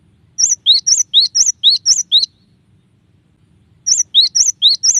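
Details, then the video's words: A cinereous tit delivers its varied song in two bouts of high, sharp two-part notes with rising slurs, about eight notes each, separated by a silent gap of over a second. "suara burung glatik batu bervariasi"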